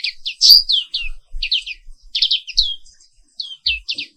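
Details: Black-capped white-eye (Pleci Papua Wiklus), morning song: rapid bursts of high, sweeping chirped notes, some descending slurs, delivered in quick clusters with short gaps, one louder bright note early on.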